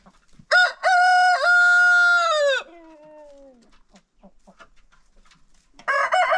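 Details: Farm rooster crowing in a daily after-breakfast crowing contest among roosters: one loud, ringing crow of about two seconds that trails off, soft clucks, then another rooster begins crowing.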